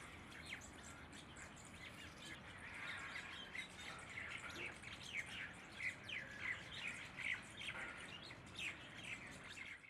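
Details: A pair of Asian green bee-eaters giving short, high, chirping calls about once a second, over a steady hiss of outdoor background noise.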